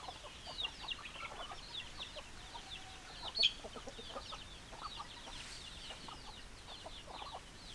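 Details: Chickens in a flock: constant overlapping brief high peeps and lower clucks, with one sharp loud click partway through.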